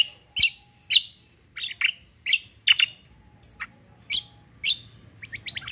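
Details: Combo-style cucak song with 'tembak' bursts: loud, sharp, high chirps spaced about half a second apart, interspersed with short descending whistles, closing with a soft run of quick falling notes.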